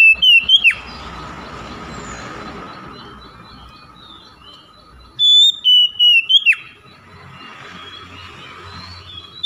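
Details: Oriental magpie-robin song used as a lure to get silent, reluctant birds singing: two short bursts of clear, high whistled notes ending in a downward slur, separated by several seconds of quiet hiss.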